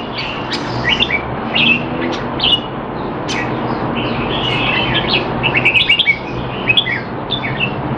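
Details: Training session of a caged Red-whiskered bulbul in Singapore, bird noted as not in form, 25 December 2020; scattered sharp chips give way to a lively run of quick warbled notes, low hum underneath throughout.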